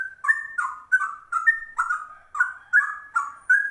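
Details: Short bout of ropel song from a rare trucuk bulbul that imitates a straw-headed bulbul: clear, gurgling whistles in quick pairs, with clicky overtones above each note.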